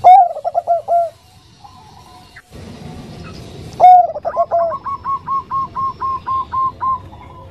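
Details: Soft cooing from a Bangkok zebra dove, described as a female calling for a male: two phrases, each a strong rising note with rapid stuttering, the second trailing into about ten evenly spaced soft notes.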